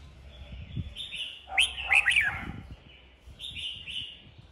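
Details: Red-whiskered bulbuls singing against each other in captivity to rouse a young bird. Soft warbling phrases surround a central run of three loud, ringing, falling whistles, with light thumps in the background.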